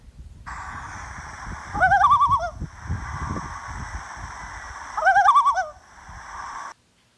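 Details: Common loon at Horseshoe Pond, St. Regis Canoe Area, Adirondacks, upstate New York, in frog-egg season, gives two short bursts of wavering, yodel-like notes that step up and down, about three seconds apart, over a steady background hiss.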